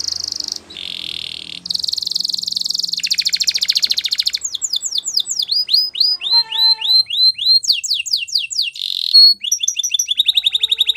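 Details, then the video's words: Canary singing a training song. Dense high rolls and buzzy trills change every second or two into tours of rapid down-slurred chips, scooping notes and quick rattles, loud and varied throughout. "Canary singing Bird Sounds At Its Best | Melodies Canary Bird Song"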